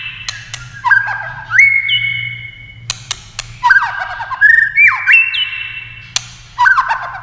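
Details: Competition singing of a white-rumped shama with many voices: loud whistles that slide down and hold steady, separated by crisp clicking notes and short silences.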